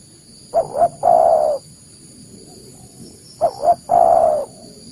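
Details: Spotted dove call played to attract wild doves for catching: two quick low hooting notes then a long sustained coo, repeated twice with a pause between, over a faint constant high whine.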